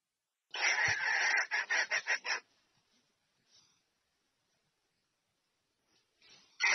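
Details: A hen red junglefowl inviting the male to mate gives a burst of harsh cackles that quicken into short rhythmic pulses. Near-silence follows, with faint scratchy sounds, and a loud note begins at the end.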